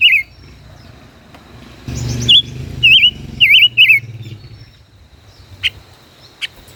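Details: Five-colored bird dueling in song from its cage, a decoy bird caged more than a year; a short run of four or five warbled whistles after a brief noisy rumble, then sparse clicks.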